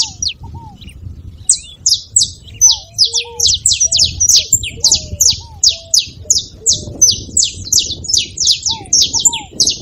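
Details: Saffron finch's song, meant to stir a quiet canary into singing: after a brief lull, a long steady stream of sharp high chip notes, with low arched whistles and a faint rumble beneath.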